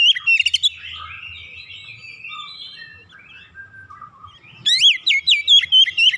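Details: Caged Oriental magpie-robin singing eagerly after hearing another bird and unloading its mimicked phrases. A loud chattering burst opens, soft drawn-out warbling follows, and a rapid string of sharp rising whistles closes it.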